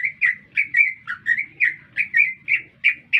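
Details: Rapid chattering green leafbird song heard in the heart of a city, short warbled chirps repeated about every quarter second, steady and mid-high, with low background rumble.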